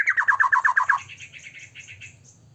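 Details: Short burst of prolific white-rumped shama song meant to trigger rival shamas to sing: a quick run of about eight sharp repeated notes in one second, fading into softer high twitters over a low background hum.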